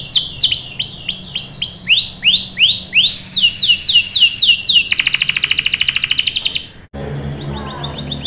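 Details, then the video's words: Canary song used as a lure to set off other canaries: a series of rising, sweeping chirps about four per second, then a fast rattling trill of clipped notes, a short break and faint high chirps over a low hum. "PANCINGAN KENARI GACOR bikin NYAUT ikut BUNYI NGEROL | CUIT CUIT | CANARY SINGING"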